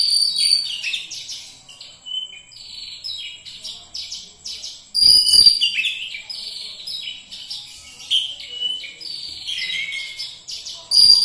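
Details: Oriental magpie-robin (kacer) in full song: a long, varied stream of high whistles, crisp chirps and downward slurs, with loud bursts at intervals and hardly any silence.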